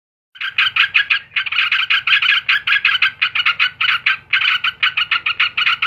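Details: Yellow-vented bulbul song: loud, bubbly chattering notes in quick pulses, several per second, running almost without pause for nearly six seconds over a faint low hum.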